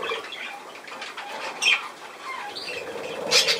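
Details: Budgerigar calls, sparser than full chatter: scattered scratchy notes, a couple of sharp high squeaks near the middle and a loud shrill burst at the very end.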